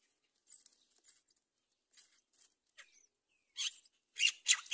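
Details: Myna mother bringing locusts to her chicks at a palm-tree nest: high, scratchy chirps in irregular bursts ending in louder harsh squawks, with a brief whistled note in the middle.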